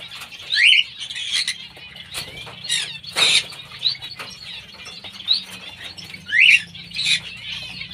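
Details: Pair of pineapple green-cheeked conures: two loud, harsh, rising squawks near the start and end stand out over constant high, busy chirping from other birds, with occasional wing flutters.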